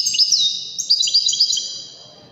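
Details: Goldfinch song used to tutor young goldfinches and hybrids, a quick tumbling run of high tinkling, slurred chirps lasting about two seconds and fading out at the end.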